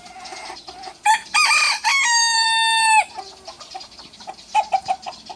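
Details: Rooster challenging a rival, small rooster versus big rooster: a few clucks lead into a loud crow of about two seconds, with choppy opening notes and a long steady ending, then quieter clucks and pecking sounds.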